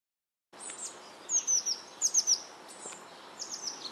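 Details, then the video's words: Eurasian blue tit chicks in a nest box, fed shortly before fledging, May 2012: thin, very high, descending squeaks in quick clusters of three, then softer repeated high notes over a faint hiss. "Blaumeisen bei der Fütterung - Mai 2012"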